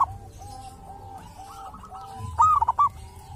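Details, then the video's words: Zebra dove living wild at a sacred tomb, credited with a distinctive voice. Soft, steady cooing from other birds leads into one clear phrase: a high rising coo and a short burst of bubbling notes. "perkutut lokal dari MAKAM KERAMAT ‼️punya suara cirihas tersendiri"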